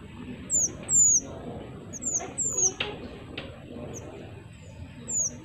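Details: Pied triller singing energetically, used to lure wild birds: high, thin whistled notes sliding downward, given singly and in short pairs, with a low background hum.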